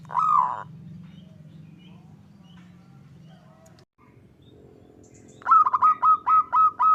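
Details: Zebra dove song in the kerot ngutut kowar style, used to train and lure perkutut: one loud opening note, a long steady low hum, then six quick, evenly spaced short cooing notes to finish.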